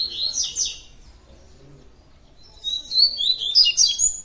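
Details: Double-collared Seedeater, a coleiro in tui tui song, gives a short burst of high chirps, pauses nearly two seconds, then launches a longer, fast phrase of sharp, sliding whistled notes.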